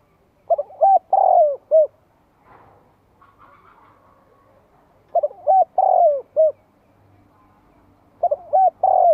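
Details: Spotted dove singing to provoke rival birds. Three cooing phrases come about every three and a half seconds, each with short hoarse notes and a longer rolling coo, against a quiet background.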